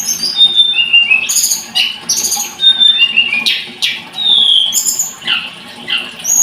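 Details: Blood-breasted flowerpecker song: rapid, high, thin chattering with sharp descending whistles and short buzzy notes, given in bursts with brief pauses.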